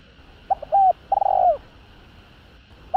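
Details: Spotted dove (cu gáy) calling to provoke rival males: a short hooting phrase of quick low coos ending in a longer drawn-out falling coo, with a constant background hum.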